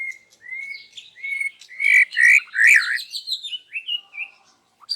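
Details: White-rumped shama in full morning voice, singing its learned phrases: drawn-out whistles building into loud, rich warbling with fast rolling notes, then softer fading phrases.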